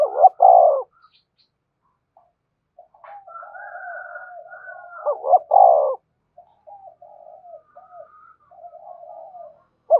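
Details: Luring call of a spotted dove meant to provoke wild doves into cooing and flying in: loud paired throaty coos open and recur near the middle, separated by long stretches of softer murmured cooing and a faint higher tone.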